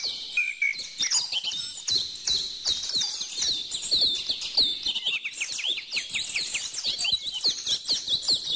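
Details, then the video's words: Continuous twittering from many birds, short high notes and fast trills tumbling over one another, with sharp clicks in the background. "bird song"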